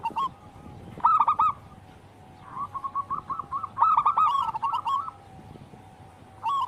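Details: Local wild zebra dove in vigorous song, recorded to train caged doves. Brief loud trill, a pause, then a run of quick coos building to a rich rolling phrase.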